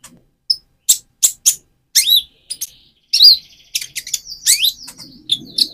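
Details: Van Hasselt's sunbird, speckled plumage, singing to provoke another bird: a few clipped chips lead into a busy twitter of rising and falling high notes with buzzy trills.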